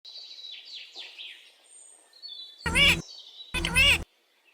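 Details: Pet parrot talking, asking its mummy for roti: soft high chirps and twitters, then two loud, harsh, voice-like bursts about a second apart.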